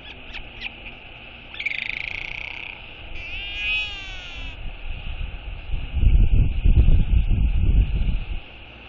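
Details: Mature female northern royal albatross giving a skycall to greet the day on a morning in May 2022 as a parent lands to feed its chick. Harmonic squeals are followed by loud, low, pulsing groans over a steady high hiss.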